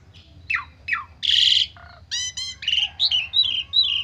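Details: Agitated Asian pied starling singing a varied lure phrase: two falling slurs, a loud harsh rasp, a low nasal note, buzzy chatter, then a series of bright whistled down-slides.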